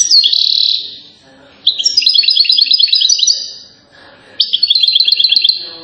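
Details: European goldfinch from Settat, Morocco, praised for silsila-style song: a drawn-out buzzy note, then two runs of fast tinkling trills separated by a brief lull.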